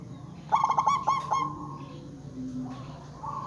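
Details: Local zebra dove calling to draw replies from other zebra doves: one burst of quick, bright, stuttering coos that ends in a long held tone, with a softer lower coo and hum behind.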